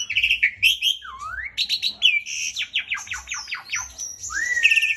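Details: Asian pied starling, a kept cage bird, singing energetically: varied whistles, a low rising slur, then a quick series of descending buzzy strokes and a long rising whistle at the end.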